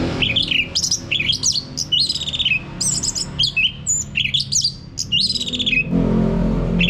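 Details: An orange-headed thrush, presumably male, sings a rapid, varied run of bright whistles and slurred, chattering notes packed close together. A low indoor hum ends in rushing noise; the song is played to prompt a caged bird to sing.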